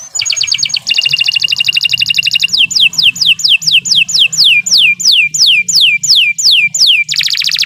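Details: Canary singing at length as a tutor for songbirds: a fast high trill, a long rolling buzz, then a steady series of loud descending whistled notes, about two per second, ending in another dense trill.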